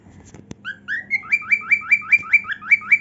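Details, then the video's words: A dancing cockatiel showing its heartwings gives two rising whistles, then a steady series of upward-sliding whistled notes, about four a second. A click and a low hum are also heard. "Cockatiel Dancing & Singing"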